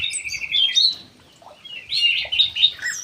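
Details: Ground thrush in an aviary singing two rich, varied whistled phrases separated by a short pause, with faint low knocks underneath.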